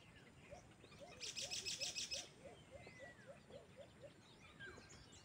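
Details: Low, evenly spaced hooting notes of a white-eared brown dove, locally alimokon, during cage-trap hunting, continuing through the clip while a sharp high rattling insect burst sounds for about a second and other birds chirp faintly.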